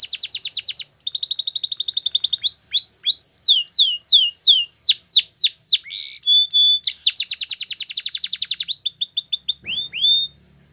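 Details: Belgian canary singing a long training song: rapid buzzy trills, then a run of swooping downward whistles, a short pure held note, and more quick rattling trills before a final rising whistle.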